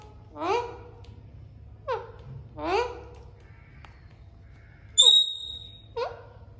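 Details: Rough, rising squawks from Alexandrine parakeets talking and playing alternate with shorter chattering notes, plus one clear high pure whistle near the end, over a low hum.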